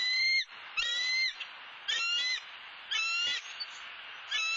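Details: Four high, squealing notes, each with a rich stack of overtones and spaced roughly a second apart, come from a bald eagle at a live-camera nest in Southwest Florida.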